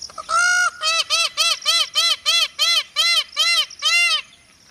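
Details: Peacock calling: a longer opening note, then about nine loud, nasal, harmonic honks in a quick, even series, each under half a second long, before the calls stop and only faint outdoor background remains.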